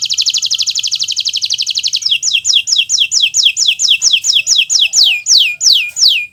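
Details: Canary, Kenari Nusantara, in energetic 'gacor' song used as a master recording for teaching other birds: a rapid buzzy trill for two seconds, then a run of loud descending whistled sweeps repeated about three times a second.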